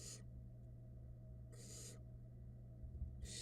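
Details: Hissing screeches from barn owl nestlings at a Florida nest cam during a feeding by the female: three broad, noisy bursts with long quiet gaps, a faint steady hum, and light bumping at the end.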